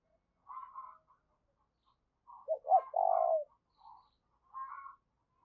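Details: Decoy spotted dove giving its urging coo to lure wild doves; one quieter phrase of short notes and a long buzzy coo in the middle, framed by softer, higher, more distant cooing.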